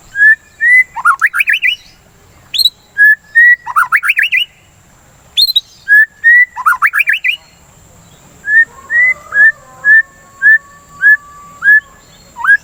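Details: White-rumped shama song used to stimulate other birds to sing: clear whistled notes around a steady pitch alternating with fast rising sweeping phrases, repeated several times, then a run of short whistles with a long flat tone; faint high hiss throughout.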